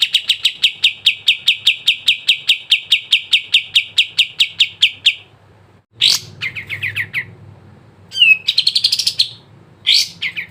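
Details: Sooty-headed bulbul song used to get caged birds singing: a long run of about twenty evenly spaced bright notes over five seconds, then a pause and short chattering bursts with a quick trill.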